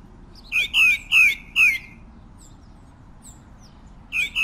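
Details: Pale-breasted thrush: a clear run of four loud downslurred notes near the middle of the range, each with a faint rising trace below, then a pause with a few soft distant chirps, then two more notes.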